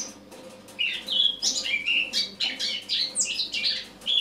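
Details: On an autumn morning, 1 October 2017, a Eurasian blackcap sings a continuous rambling warble mixing thin high chirps with lower twittering notes, starting after a quiet opening.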